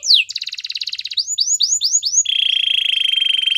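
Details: Canary singing to train other canaries: a steep downslur, a buzzy rattle, five arching whistled notes in quick succession, then a long steady metallic trill.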